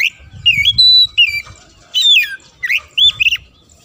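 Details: Vigorous song of an Oriental magpie-robin, meant to provoke rival birds, with fill-ins and pauses: bright whistled notes slide up and down in quick phrases, with brief gaps and rapid final chips.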